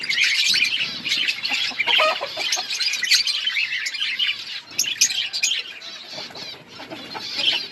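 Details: Many budgerigars in an outdoor aviary colony chattering, a busy mix of warbled chirps, clicks and short squeaky notes overlapping continuously, with some soft rustling underneath.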